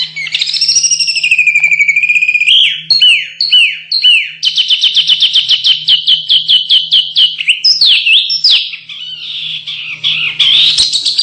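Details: Canary song used as training audio for contest birds: long loud sustained trills, first a rolling whistled run, then rapid repeated downward-sweeping notes at a steady pulse, shifting into fast buzzy rattles, with a faint constant low hum underneath.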